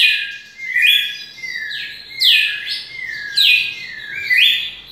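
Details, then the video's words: Red-cowled cardinal long song with rich slurred whistles: rising and falling swoops that run into sustained tones, four main phrases, faint low background hum. "Galo de campina canto longo"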